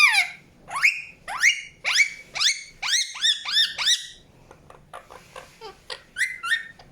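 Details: Indian ringneck parakeet chirping with strident rising squawks, each arching over at the top, repeated roughly twice a second, then softer scattered chips and a few final calls.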